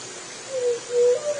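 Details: Low, breathy juriti dove coo in three notes, falling, level, then a higher sustained note cut short at the end, with gentle hiss throughout.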